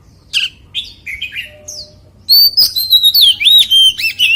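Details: White-rumped shama song in wild-voice style, with a few sharp chirps and short notes, then a loud, rich run of looping whistled phrases that swoop up and down.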